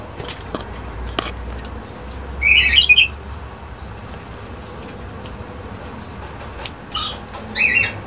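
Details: A healthy, aggressive pet common starling gives a tight cluster of harsh, raspy squawks, then two more short scratchy bursts near the end, over a low steady background hum and faint clicks.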